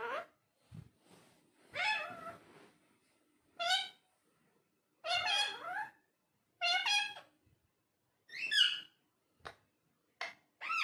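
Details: Parrot talking in short, scattered, speech-like syllables, some rising and some falling, with irregular pauses between them and faint clicks in a quiet background.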